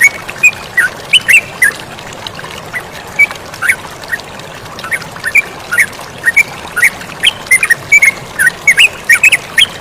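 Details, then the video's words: Over the loud, steady rush of flowing water, a yellow-vented bulbul gives scattered, short chirped notes that cluster more densely in the second half, partly masked by the water. "MASTERAN TERUCUKAN GACOR DAN SUARA AIR MENGALIR"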